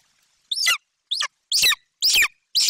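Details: Golden eagle nestling in Bucovina screaming as its mother arrives with a magpie; five sharp, high screeches, the first clear and descending, the later ones harsher and more ragged.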